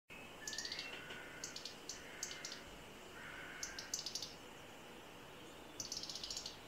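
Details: On a bright May morning around 11am, a European robin gives loud alarm calls as a cat enters the garden: sharp, high ticking notes in quick bursts with thin whistled tones between, over faint hiss.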